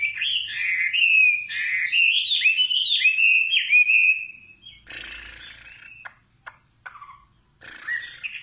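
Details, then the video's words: Nightingale singing a rich, loud warbled phrase, then harsher rasping bursts and a few isolated sharp clicks before resuming. "Singing nightingale. amazing bird song"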